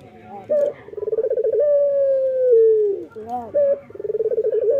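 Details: Active morning song from a male local Barbary dove: a short hoot, a trembling rolling coo running into a long, gradually falling tone, then soft notes and another purring start.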